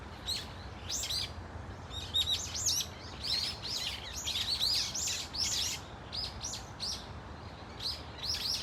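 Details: Brown-eared Bulbuls calling together in a flock at Dunsan Grand Park, Korea; many sharp, shrill squeaky notes, arched and slurred, tumble over one another in dense bursts for several seconds against low ambient noise.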